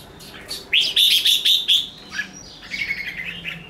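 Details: Caged red-whiskered bulbul in fighting song: a ringing series of loud steady whistled notes, followed by softer quick chattering warbles.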